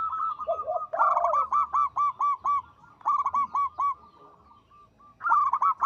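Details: Actively singing local zebra dove, its voice called big, long and melodious; a purring, dipping opening gives way to bursts of rapid staccato coos. The phrases repeat after short gaps, and faint overlapping notes suggest a second bird.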